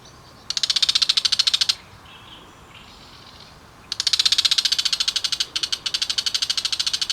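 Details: Rapid, rasping rattle from a bull-headed shrike giving loud harsh gichi-gichi calls. It makes a burst of over a second, a pause with faint soft notes, then a sustained rattle lasting more than three seconds.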